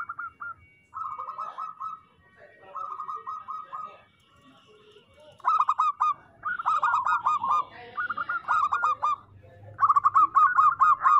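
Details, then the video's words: Several rounds of local zebra dove cooing: rapid, bouncing runs of short notes about a second long, each repeated after short gaps, growing louder and more overlapping toward the end. "Perkutut lokal gacor Suara Paling Banyak Dicari"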